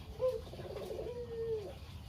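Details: Kept local Barbary dove (puter lokal, kugeru), a talkative lone survivor of a pair, gives a brief opening note followed by a rippling trill that draws into a long even tone, dropping away at the close; faint background hum.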